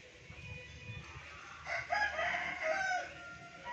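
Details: A pet Indonesian laughing chicken (ayam ketawa), kept by its owner, gives a relaxed one-and-a-half-second crow broken into choppy, cackling notes over a low background hum.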